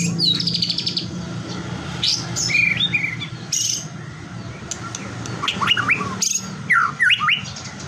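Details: A white-rumped shama sings to provoke other shamas: a high buzzy trill, then short rising whistles and sharp upslurred notes in bursts, with background noise throughout.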